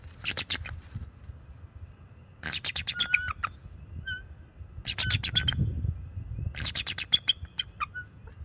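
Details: Warning calls of a young male bald eagle at the nest with his mate, driving off an owl, March 7, 2024, nest cam; four loud bursts of shrill, fast chittering notes, each trailing into a few thin piping whistles.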